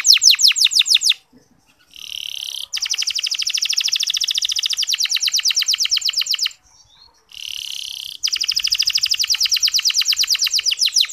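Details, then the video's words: Canary song used as a lure to rouse reluctant male canaries into singing, described as soft 'ngeriwik' style with clear tone and long duration; fast repeated high descending trill notes, broken by short pauses, then more rapid trilled phrases. "Suara Kenari Ngeriwik Halus"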